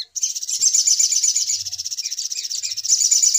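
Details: Little spiderhunter lure sound for bird trapping: a continuous, high-pitched, buzzy chatter of fast repeated notes, about four per second, steady throughout with brief swells in loudness.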